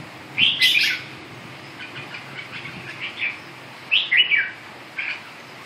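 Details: Red-whiskered bulbul giving loud bright whistled phrases, softer chattering notes between, and a final emphatic two-part whistle near the end.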